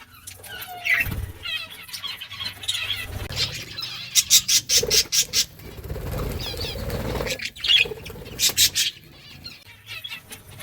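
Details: Pet budgies eating green food give short, scattered chirps and warbled twitters, mixed with sharp pecking and crunching bursts and soft rustling.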